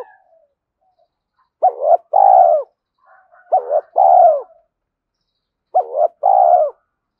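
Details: Spotted dove giving a quick-paced urging coo as a decoy to pull in wild doves; three repeated two-part phrases, a quavering note then a longer arched falling coo, spaced about two seconds apart.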